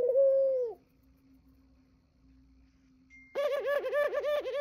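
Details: Morning cooing by a pet dove: one smooth sustained coo, a pause with faint room hum, then a rapid run of pulsing, wavering coo notes with rich overtones.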